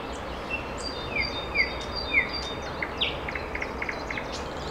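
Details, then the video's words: A small bird sings beautifully: thin, high, slurred notes in a loose series with brief chips, over a steady background hiss of outdoor noise. "Красиво поёт птичка"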